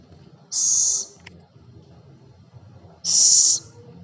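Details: Scops owl (celepuk) hissing twice, with harsh, airy, high bursts of half a second separated by about two and a half seconds of near silence and one faint tick.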